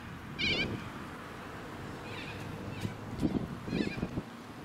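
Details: Little corella flock calling in a suburban park on the Sunshine Coast, Queensland, October 2017: a loud harsh, raspy screech early on, then fainter rough calls and low traffic rumble with wind.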